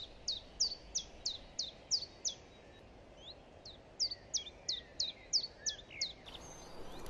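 Common Chiffchaff singing: a steady, rhythmic run of sharp chiff-chaff notes, alternating higher and lower, about three per second, with a brief pause midway.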